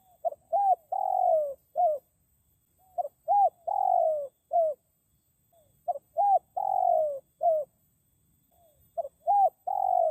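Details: Spotted dove of the wild, its call used as a lure for wild birds: soft, hollow coos delivered in repeated phrases of two short notes and a drawn-out falling coo, recurring about every three seconds.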